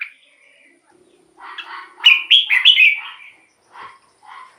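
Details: Red-whiskered bulbul song meant to lure wild birds or excite caged birds: muffled chattering leading into a bright falling run of whistled notes, then scattered soft calls.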